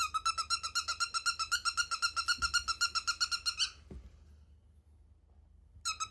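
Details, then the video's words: Pet cockatiel giving a squeaky, creaking call of rapid harmonic pulses, about four per second, for nearly four seconds, then a quiet pause before the pulses start again. "I think my cockatiel needs oiling"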